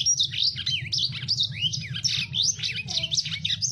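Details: Lemon-breasted canary in full, energetic song used as a tutor recording for captive birds: a rough, very fast stream of buzzy, sweeping high notes and rapid up-and-down trills, almost without pause.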